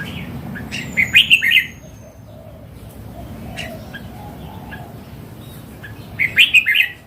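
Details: Mature wild red-cheeked Red-whiskered bulbul delivers a rapid, chirpy warbled phrase early, then repeats it about five seconds later, with a thin high whistle and quiet hiss between.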